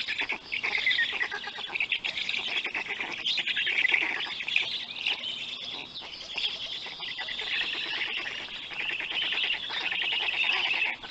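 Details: Black stork nest in Poland at feeding time, 31 May 2020 at 3:55 p.m., on a nest camera: continuous wheezy, chattering calls in rapid pulses, swelling and fading over about eleven seconds, otherwise quiet.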